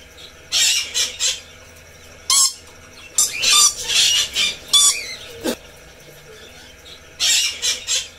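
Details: Red lory, a parrot species, giving harsh screeches in clustered triplets and longer grating bursts, with a few whistled curls and a sharp knock in the middle.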